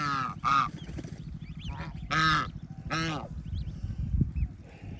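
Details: Farm ducklings enjoy water and food beside their mother. Three strong, buzzy honking quacks arrive about a second apart, with softer squeaky peeps between them and a constant low rumble underneath.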